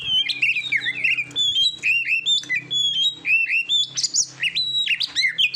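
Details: Oriental magpie-robin training song for competition birds: loud whistled notes with rising slurs and abrupt pitch jumps, some chatter, over a faint low hum.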